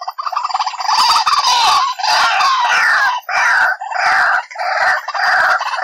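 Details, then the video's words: White-breasted waterhen calling on a trapping lure. The sound is a loud, continuous harsh chorus with wavering, croaking tones, broken by brief dips every second or so. "SUARA PIKAT BURUNG RUAK-RUAK"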